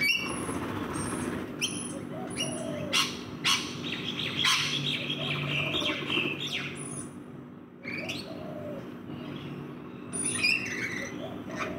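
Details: In a backyard, feeding rainbow lorikeets keep up a busy, noisy chatter of shrill screeches and squeaky chirps, dense early and late with a brief lull, over low hum.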